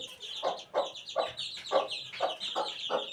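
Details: Chicken chick aged eighteen days, giving steady high-pitched peeps in quick succession over regular soft thumping pulses about every third of a second.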